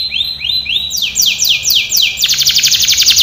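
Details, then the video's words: Canary training song with a run of rising upslurred whistles, then longer descending sweeps, ending in a fast buzzy trill; clear and high-pitched. "canary singing / canto Canario cantando | canary training song"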